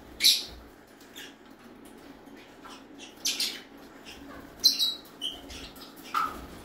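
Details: A pair of violet Indian ringneck (rose-ringed) parakeets give harsh, screechy squawks in short bursts, separated by pauses of a second or more.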